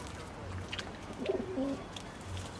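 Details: A domestic feral pigeon (Columba livia domestica) at Špica, Ljubljana, on 29 August 2023, gives a soft, low, throaty coo of a few brief notes mid-clip over a faint background hum.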